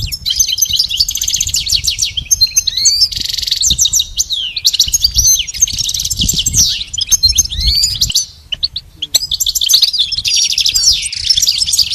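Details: Training song for caged goldfinches, meant for pet birds to imitate: long bursts of high, rapid twittering and trills broken by brief pauses, mixing buzzy notes, chirps and rising whistles; soft low noise underneath.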